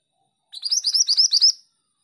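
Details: Female oriental magpie-robin singing vigorously: a single one-second burst of rapid, high, twittering notes, about a dozen quick chirps run together, with no other sounds around it.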